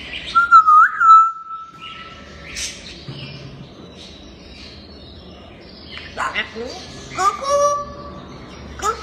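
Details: Playful talking grey parrot giving a long steady whistle, then a pause, then raspy chatter, squeaks and a second lower whistle toward the end.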